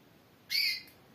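A female Timbrado canary gives one brief, bright, harsh call lasting about a third of a second, high-pitched with a ringing edge, against a faint background hiss.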